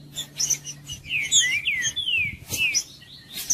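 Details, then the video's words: Green-winged saltator in song, intended to warm up a silent bird; rich whistled slurs falling in pitch, with scattered high chirps and clicks between phrases. "ESQUENTAR TRINCA FERRO FRIO"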